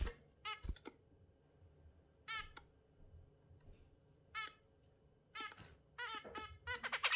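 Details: In a morning recording of an exhibition zebra finch and budgie pair, zebra finches give short, nasal, toy-trumpet beeps in quick bursts every second or two, with a faint low room hum beneath.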